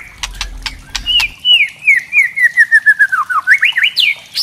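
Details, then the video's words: Kretekan by a white-rumped shama (murai trotol), a sound to stir other shamas: dry crackling clicks, then a rapid descending chain of whistled notes and a final pair of sharp high upsweeps. "kretekan murai trotol"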